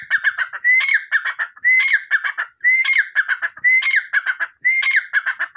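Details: Loud, rhythmic grey francolin phrases, five in a row. Each is a bright upward whistle followed by grating, rapid-fire notes, with a nearly even one-second beat.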